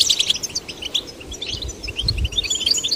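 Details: Goldfinch chicks, male and female, encouraged to sing, giving scattered thin chirps and short high notes rather than full phrases, with faint low rumbling underneath.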